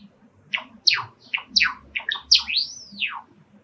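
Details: Indoor pet sakura-colored Java sparrow, excited by wild sparrows heard through a screened window, sings a run of steeply descending chirps that ends in a long, arching whistled note.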